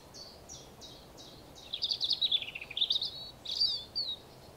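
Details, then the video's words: European robin singing in the morning: a high, thin phrase of descending slurred notes repeated a few times, then a quick tumbling warble of trills and thin whistles, over steady low background rumble. "Morning Robin Birdsong."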